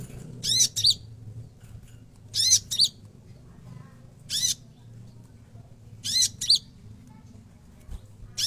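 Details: Konin in energetic full song, delivering loud buzzy rasping bursts with bright whistled notes, each burst followed by a shorter one, repeated roughly every two seconds over a steady low hum.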